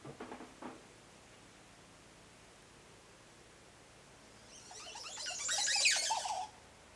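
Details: A Montezuma oropendola in Tikal, Guatemala, gives a bubbling, gurgling cascade of liquid notes that swells to a loud finish, with a few brief, softer notes before it.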